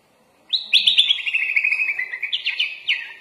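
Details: Sooty-headed bulbul (kutilang) delivering its lively full-isian song: after a half-second pause, a continuous stream of fast, sharp chirps holding a steady high pitch, with a few rising flourishes near the end.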